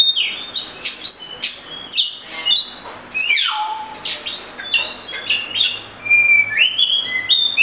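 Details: Oriental magpie-robin in full song: a varied stream of loud whistles, upslurs and harsh notes, including a long downward sweep mid-phrase, delivered almost without pause.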